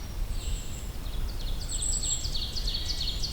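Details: Golden-crowned kinglet song in the Allegheny National Forest: a long string of very high, thin notes quickening into a tumbling, slightly lower chatter, over a steady low rumble.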